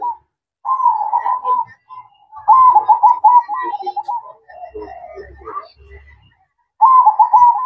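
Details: Zebra dove singing at night in the perching coo style, sweet trilled coos near one pitch in long phrases, a pause, then a softer lower stretch with faint murmurs before the coos return.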